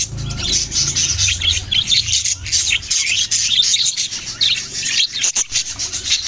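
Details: Group of budgerigars chirping: continuous overlapping high twitters and warbled squeaks, with a low rumbling noise underneath and a brief sharp click just past five seconds.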